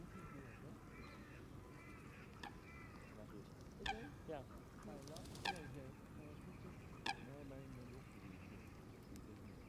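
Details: Canada geese, a flock feeding on green grass at the water's edge, with church bells sounding nearby; several loud, harmonic honks stand out at intervals over a steady murmur of lower calls and background noise.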